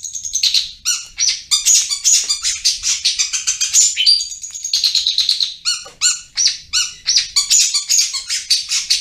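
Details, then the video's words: Long-tailed shrike in full, lively ngriwik-style song: dense, harsh, scratchy chatter mixed with brief high whistles, pouring out in quick uneven bursts. "Cendet Full Gacor Ngriwik"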